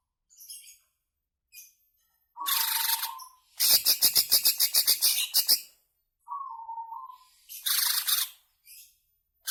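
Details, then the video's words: Lure recording of a greater green leafbird's long ngebren song for caged birds: short high notes, a harsh burst with a dropping whistle, then a rapid rattling string of about fifteen sharp chirps, a brief whistle, and another loud scratchy phrase. "Suara Pancingan Cucak Ijo Ngebren Panjang"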